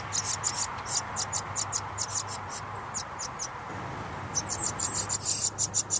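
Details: House wren chicks begging as parents arrive to feed them; bursts of sharp, hissing high notes that pause briefly near the middle, then resume faster and louder.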